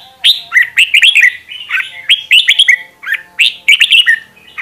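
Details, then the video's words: Decoy red-whiskered bulbuls singing together in a fiery chorus used for voice training; rich warbled phrases of quick looping whistles come roughly every second and overlap slightly. "Luyện Giọng Chào Mào Mồi - Chào Mào Giàn Đạt Căng Lửa"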